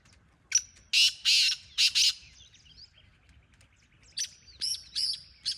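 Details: Wild black francolin calling: harsh, grating, broadband bursts in a grouped series, a first cluster of three to four loud rasping notes, then after a pause another run of shorter scratchy notes; faint chirping of small birds between.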